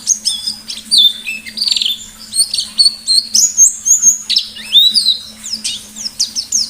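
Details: White-eye in full 'ngalas' style song with sharp 'nembak' bursts, a rapid, continuous stream of high, varied chirps, sweeps and slurred whistles with a faint steady hum underneath.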